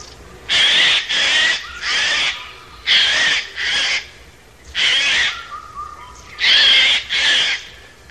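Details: Eurasian jay (Garrulus glandarius), call.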